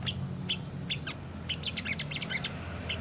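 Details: Olive-backed sunbird, known locally as sogok ontong or sriganti, in lively gacor nembak style used as a master recording: short, sharp, high chirps repeated every half second over a low steady hum.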